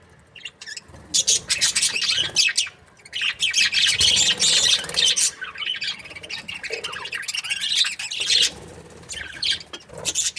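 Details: Happy breeding budgies keep up long stretches of dense, raspy warbling chatter and quick chirps, broken by a short silence near the start.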